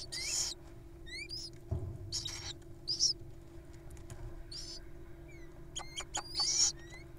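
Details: Wild little owls at feeding time, showing off their appetites: repeated harsh hissing screeches, some loud and some fainter, mixed with short rising whistled chirps from other birds and a few clicks.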